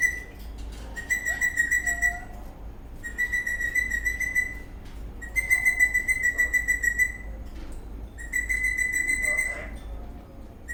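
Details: Happy, dancing eastern rosella parrot whistling: four long level whistles, each about a second or more, made of fast buzzy pulses, with brief gaps between them.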